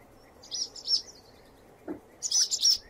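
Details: Swallow song in short bursts of high twittering notes, two chirps early, then a brighter cluster of warbled phrases near the end, over a quiet background.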